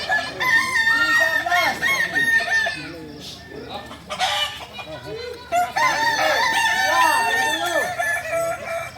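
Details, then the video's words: Kukuak Balenggek roosters, the singing chicken breed native to Solok, in crowing performance practice: long overlapping drawn-out crows with stepped, wavering phrases, and a brief lull midway, over many low arched clucking notes from other birds. "Latihan prestasi Ayam kukuak balenggek ayam penyanyi asli Solok"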